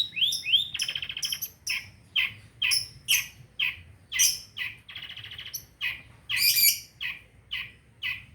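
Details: Long-tailed shrike, known locally as pentet, singing as a lure to get silent birds singing again: a dense run of harsh, scratchy chattering notes with buzzy bursts and brief pauses, loud and continuous.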